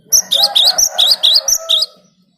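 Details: Cinereous tit song used to lure wild birds: about eight loud, high whistled notes with upward flicks, evenly repeated over nearly two seconds, above a faint lower tone.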